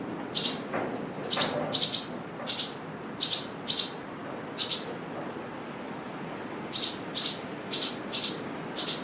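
Swallows give sharp, high chirps in quick pairs and clusters, several to the second and then pausing, over a steady rush of wind.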